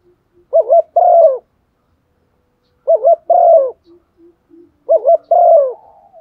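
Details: Spotted dove used as a decoy to stir other doves into calling, giving three mellow coo phrases roughly two seconds apart, each a warbled double note leading into a longer falling note, with soft low notes trailing after.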